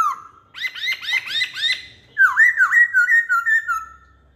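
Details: Masked laughingthrush, poksay hongkong lure song: a clear whistle opens into a quick series of five looping chirps, followed by a tumbling string of loud rolling whistled notes.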